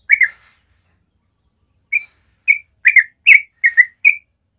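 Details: Yellow-vented bulbul in natural morning song, used as a tutor for young birds learning the rolling song: bubbly, slurred chirps, a quick double note, a pause, then about six rapid liquid notes in two seconds.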